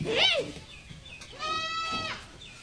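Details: In Bangladesh, a Common myna (Acridotheres tristis) gives a short arched, squeaky note, then about a second later a longer nasal, harmonic-rich wheezing call. Faint background hiss.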